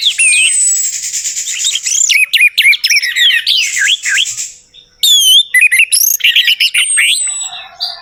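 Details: Orange-headed thrush song used as a lure to get a silent bird singing: a rich, fast jumble of high whistles, slurred sweeps and chattering notes. A long thin descending whistle opens the stretch, with a brief pause near the middle.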